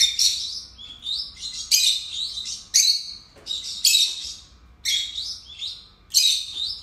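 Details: Busy, grating chatter from two pet lovebirds: loud piercing squeaks about once a second, each trailing into buzzy, descending twitters.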